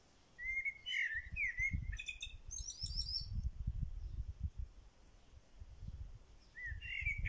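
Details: Bird singing in a corral: bright, high chirps and quick rising-falling trills in short bursts, with an even higher rapid twittered run midway. A steady low rumbling noise runs underneath throughout.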